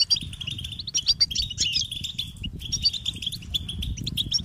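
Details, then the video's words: European goldfinch chicks begging, calling their parents to be fed: high-pitched, insistent twittering chirps in irregular bursts, briefly pausing near the middle, with a low rumbling hum underneath. "unique experience in stimulating goldfinch and chirping birds"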